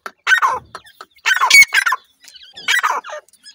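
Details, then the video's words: Grey francolin chicks calling: three loud bursts of harsh, rasping notes, each a cluster of rapid broadband calls about a second apart, with short gaps of quiet between. "Grey francolin chicks Call,dakhni teetar chicks ki awaz,sindhi teetar chicks ki awaz"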